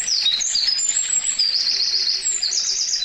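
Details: Eurasian wren song from Karuizawa Wild Bird Forest, Nagano, Japan, May 2019, binaural recording: shrill, rapid notes and quick rattling trills, with soft low paired hoots repeating in the background.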